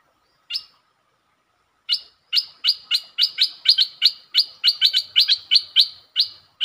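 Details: Streak-eared bulbul delivering a long series on 13/02/2023: after two lone chirps, sharp bright chip notes repeat rapidly, roughly three per second, in a steady unbroken run lasting several seconds.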